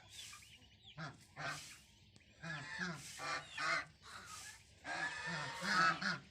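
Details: Naughty geese chicks: irregular harsh honks come in clusters about every second or two, with quieter gaps between.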